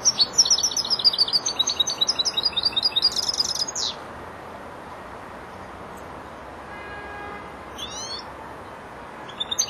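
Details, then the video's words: Four-month-old young European goldfinch beginning to finish its song phrases: a quick run of bright, high twittering notes for about four seconds, then near silence with a few scattered chirps and a short buzzy trill, over a steady low background hiss. "jilguero el estudiante rematando"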